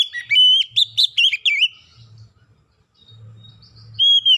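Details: Oriental magpie-robin song played to lure birds into singing: an opening flurry of fast whistled notes with high flicks and wavy slurs, a long quiet pause, then a flat sustained whistle; low hum underneath.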